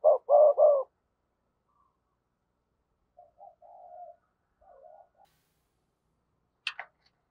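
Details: Spotted dove decoy bird calling, giọng thổ style; one loud phrase of two short coos and a drawn-out coo opens, followed by faint soft murmuring notes and a brief high chirp near the end.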